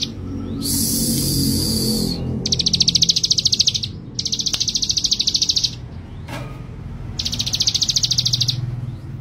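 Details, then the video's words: Male Bar-winged Prinia repeating fast, buzzy, high trills in bursts of one to two seconds, with short gaps between them. A burst of hissing noise comes early on, and a click sounds partway through. "Burung Ciblek Gunung Jantan Si Gacor Dan Pemberani"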